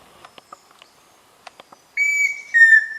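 Pheasant cuckoo giving two clear whistled notes, the second slightly lower, after a stretch of faint clicks and ticks.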